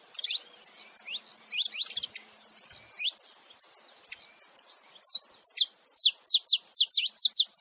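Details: Saffron finches, male and female together, calling: varied high chirps growing into a steady series of loud, steeply falling notes repeated quickly toward the end.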